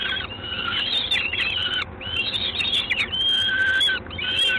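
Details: Calls of a peregrine falcon in Gdańsk, Poland, 3 June 2016, evening. Loud, grating, drawn-out notes come in long bursts with brief gaps between them, over a steady low rumble.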